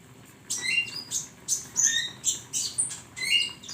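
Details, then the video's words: A flowerpecker sings a training recording for songbirds, giving rapid clusters of piercing, high chirps and brief downslurred whistles, each burst about half a second long and repeated steadily over a quiet low background hum. "masteran burung Konin"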